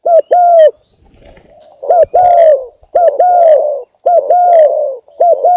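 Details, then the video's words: Spotted dove decoy recording used as a lure: loud, hoarse coos in a clipped-then-drawn-out pattern, each phrase a short note followed by a longer falling one, repeated roughly every second, with faint higher chirps and a soft pause midway. "file cu moi"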